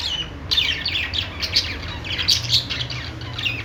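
Budgerigars chirp in quick, overlapping bursts of high, scratchy warbles and squeaks, with several birds chattering at once and a low indoor hum beneath.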